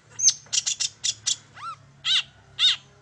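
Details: Long-tailed shrike song used to lure birds into singing: a cluster of rapid scratchy chips, then three separate arched, slurred whistles spaced about half a second apart.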